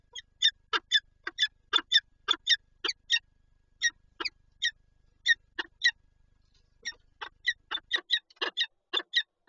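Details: At their Lublin nest, Poland, 19 March 2022, a pair of Peregrine falcons with an egg give fast runs of hoarse, chattering notes, many in quick succession with a short pause midway.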